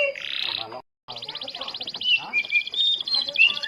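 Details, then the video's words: Starblue canary singing as a lure to get other canaries to sing: a harsh buzzy note, a short pause, then a fast rattling trill that breaks into mixed whistled and chattering phrases, with faint lower background sounds. "Pancingan Burung Kenari Starblue Gacor Dor"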